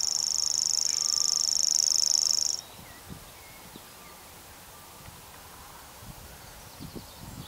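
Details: Common grasshopper warbler reeling: a continuous very high, insect-like mechanical trill held steadily for about two and a half seconds, then stopping, leaving quiet rural background with faint distant thumps.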